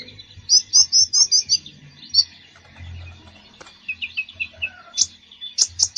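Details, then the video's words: Full konin song for encouraging a reluctant konin to sing: a quick series of high, clear chirped notes, a short pause, then lower twittering notes and sharp high calls. "KONIN GACOR FULL ISIAN !! COCOK UNTUK TERAPI KONIN BAHAN YANG MALAS BUNYI"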